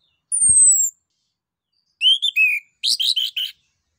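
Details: Orange-headed thrush song meant to stimulate other birds: a long thin high whistle, then a slurred phrase and a quick burst of rough, chattering notes.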